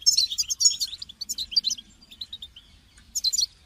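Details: European goldfinch giving call notes to stir a caged goldfinch to sing; a quick run of tinkling, liquid twitters fades into lighter single chirps, then a fresh burst of bright twittering closes the sequence.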